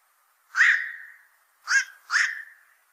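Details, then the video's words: Black-crowned night heron, described as a heavy fish eater that troubles fishpond owners: three harsh, croaking squawks, the first long with a fading, drawn-out tail, then two shorter ones close together, with silence around them. "BLACK CROWNED NIGHT HERON CALL SOUND"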